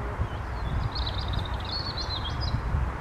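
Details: European robin in full song on a cold, windy 4 April 2023; a rapid, high, tinkling run of jumbled notes lasting about two seconds, over a constant low rush of wind.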